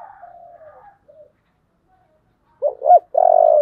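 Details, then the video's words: Spotted dove cooing in the 'giọng thổ' song style: a faint trailing coo fades out, a silence follows, then two short rising notes lead into a drawn-out buzzy coo. "cu gáy giọng thổ"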